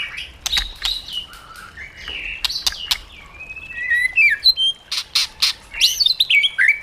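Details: White-rumped shama, a caged bird, singing in wild forest style used to train other birds: varied clear whistles, some slurred downward, mixed with sharp clicks and bright high notes. Phrases come quick and change constantly.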